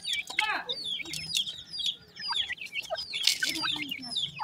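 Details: High thin chirps and downward-sliding peeps from grey francolin (teetar) chicks with a new pair, overlapping in quick bursts, with a faint low murmur underneath.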